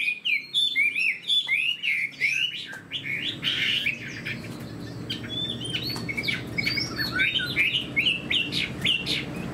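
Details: Captive Chinese hwamei with a fanned tail, described as a good fighter. The bird sings bursts of varied whistled and twisting phrases separated by short gaps, with a soft background hum.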